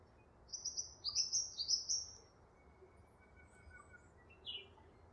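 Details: Double-barred finch, also called owl finch, giving a quick run of thin, high, slightly nasal notes over about two seconds, then faint thin tones and one more short note after a pause, against soft steady background hiss.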